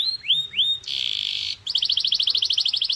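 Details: Canary song at full power, used to stimulate caged canaries: two rising whistled upsweeps, a short dense buzzy burst, then a quick, bubbling trill of repeated notes.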